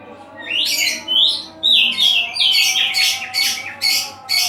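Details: Melodious Oriental magpie-robin song: rich slurred whistles giving way to a series of loud, harsh, rasping notes repeated roughly every half second, with a steady low hum underneath.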